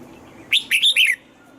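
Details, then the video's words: Red-whiskered bulbul, a caged bird being trained to sing in the morning with a double-note wild-style song: a single loud phrase of three or four quick, warbled whistled notes, rising then falling, over a faint background hum. "Luyện giọng cho chào mào hót sáng, ép chào mào hót âm kép già rừng hay tuyệt!"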